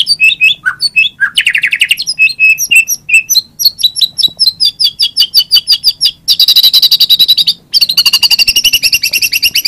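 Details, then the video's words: White-rumped shama singing rich mixed phrases: sweeping whistles, steady repeated notes, quick ticking series and long harsh buzzing trills, delivered almost without pause. "Kompilasi suara MURAI BATU terbaik 2017"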